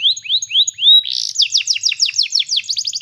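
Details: Singing canary for training: several slow rising whistles, then a burst of quick downward-slurred notes and a final fast trill.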